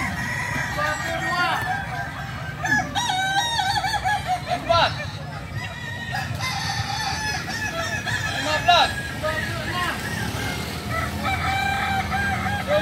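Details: At a kukuak balenggek training competition held at AMKO, multiple roosters give long, multi-part crows with stepped, quavering syllables, one after another, over a constant background of voices.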